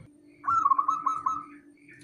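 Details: Male zebra dove, a local bird, cooing: one short soft burst of rapid warbled notes that holds a fairly steady mid pitch for about a second, recorded indoors with faint background hum.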